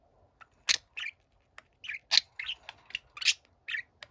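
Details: Budgerigar song from a younger pet bird to a quiet older companion: sharp clicks mixed with short buzzy, squeaky warbles in an irregular, fairly quick sequence, in a quiet room.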